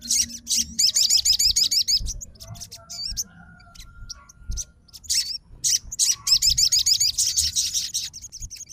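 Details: Crimson Sunbird, a fighter-type bird, answering at once on hearing another sogon's lively song: bursts of rapid, very high, thin looping trills, pausing briefly before resuming, with faint low rumble beneath.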